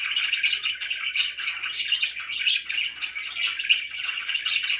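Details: Several-note chirping from pet budgerigars inside a room: continuous buzzy warbling with a few louder, sharper chirps standing out now and then.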